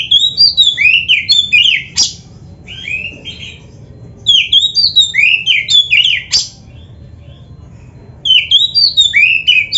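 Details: Kacer, the oriental magpie-robin, singing gacor style for caged-bird training. Three dense bursts of fast, clear whistles leap and slur up and down, with a few sharp clicks. Short silent gaps fall between the bursts.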